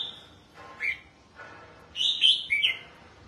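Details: Red-whiskered bulbul, a kept bird out for bathing and sunning: a few short bright whistled notes, then a cluster of quick warbled syllables near the end, with quiet gaps between phrases.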